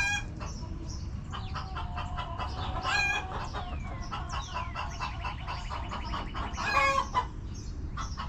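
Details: Backyard chickens relaxing in their coop, hens clucking in a busy, overlapping chorus of short harmonic calls, with a few longer drawn-out notes rising above the flock.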